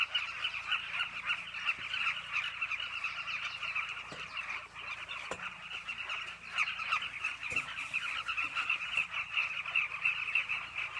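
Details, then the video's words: A nesting colony of Carmine bee-eaters on a cliff, many birds calling continuously in a dense, throaty babble, punctuated by a few faint clicks and knocks. "The Carmine Bee-eaters cliff colony."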